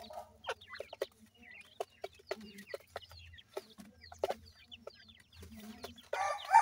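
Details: Francolin chicks feeding on termites: thin, high chirps that slide downward, given in quick scattered series, with sharp tapping clicks from pecking between them.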